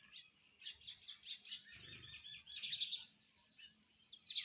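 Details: Sparrows chirping while eating food: a quick run of five or six bright, high chirps, a short pause, then a dense burst of squeaky, twittering notes and a few last chirps.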